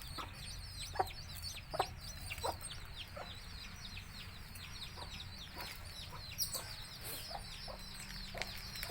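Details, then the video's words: Baby chicks of a Tamil country chicken flock keep up a constant chorus of high, thin, falling peeps, with occasional short lower clucks and a steady background hum. "Cute Baby Chicks Chirping Sounds"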